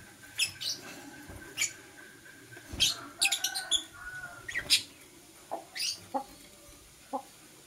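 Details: Green and blue masked lovebirds chirp in the morning. Short, sharp, scratchy notes come in irregular bursts, some in quick clusters, with softer lower clicks toward the end.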